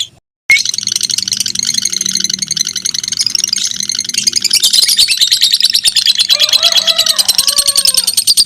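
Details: After a brief silence, two fighter lovebirds in a tight singing contest launch a continuous shrill buzzing trill, with lower, separate chirps from another bird toward the end.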